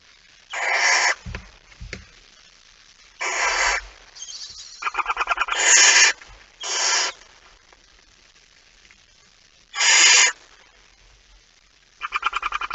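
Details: Male barn owl arriving with a mouse at night, 17 September 2019 at 23:55. Harsh, hissing screeches about half a second long come in six bursts, some broken into rapid ticking pulses, with quiet gaps between.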